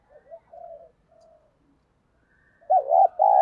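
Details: Spotted dove kept as a decoy for wild doves, giọng thổ voice, with faint soft coos at first, then a loud wavering double coo cut off at the end.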